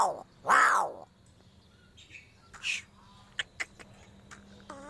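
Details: Crow giving strange calls: two loud, harsh, harmonic bursts in the first second, the second rich and rising-falling, then faint clicks and a short rising note at the end.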